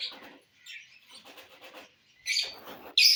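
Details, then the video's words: Lovebirds eating corn, giving harsh, high chattering chirps in short bursts, with quieter scratchy sounds between and a loud shrill squeak at the end. "love birds enjoying bhutta"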